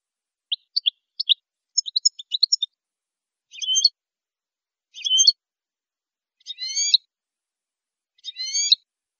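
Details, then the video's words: Sparse Saffron finch phrases for training caged birds: scattered thin chirps and a jumble of quick notes, followed by four separate short buzzy, slurred phrases about one and a half seconds apart. "NUEVO CD JILGUERO CAMPERO PARA EDUCAR"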